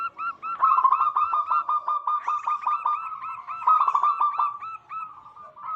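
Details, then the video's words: Energetic local wild zebra dove song, used as a lure for wild doves: dense, continuous strings of quick hooked coos, several voices seemingly overlapping throughout. "Lokal Alam gacor pancingan pikat burung perkutut"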